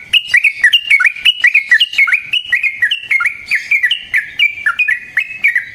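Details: Continuous chattering song of a sooty-headed bulbul, kept as a lure to make other bulbuls answer and as a master for song training; clipped whistled notes dropping in pitch, delivered rapidly, about three to four per second.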